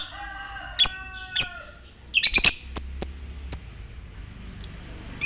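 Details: Fighter lovebird giving ngetik calls, used as a lure to stimulate other lovebirds into ngekek trilling; sharp, high, clipped chirps in scattered bursts, a quick cluster near the middle, over steady tonal notes at the start.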